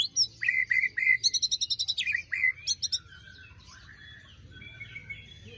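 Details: White-rumped shama lure song with harsh 'besetan' notes, meant to restart birds silent after moult: short whistles, then a rapid series of rasping, buzzy high pulses, then quieter warbling.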